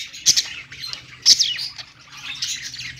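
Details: High warbling budgerigar song from perched pet birds, two loud rasping squawk notes about a second apart, then softer twittering chatter.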